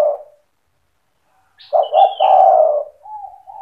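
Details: Spotted dove in full song, 'cetretan' style, used to provoke other doves into singing: a short soft coo fragment, a pause, then a loud stuttering two-note coo running into a long rolling, slightly falling coo, with a thin high chirp above.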